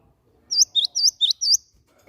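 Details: Cinereous tit (gelatik batu) lure call used to make other birds sing: a quick run of five sharp, high chirps packed into about one second, alternating slightly higher and lower notes, with near silence around them.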